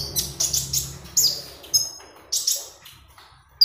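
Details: Magpie robin singing, played as a lure for training birds: spaced high chirps and sharp whistled notes with quick upward and downward slurs, pauses between phrases, quiet background.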